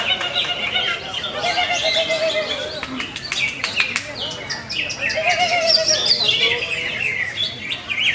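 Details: Greater green leafbird, a bird with many contest achievements, pouring out quick chattering phrases, sharp ticks and looping high whistles, mixed with a lower wavy whistle, busy and unbroken.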